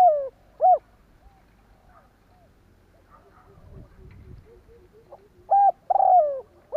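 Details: Decoy spotted dove cooing to draw in wild birds. Soft hollow coos open and close the stretch, including a drawn-out falling note near the end, with a low rustling thump in the quiet middle.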